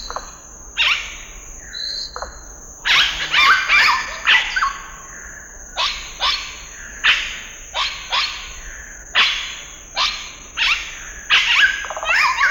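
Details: Scarlet-rumped cacique repeating loud, harsh, falling calls more than once a second in irregular series, over a steady high-pitched background hiss.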